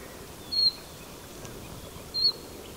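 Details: Common chiffchaff (Phylloscopus collybita), call.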